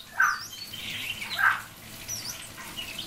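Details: Common hill myna calling its friend's name: two loud, harsh whistled bursts a little over a second apart, over a hissy background with faint higher chirps.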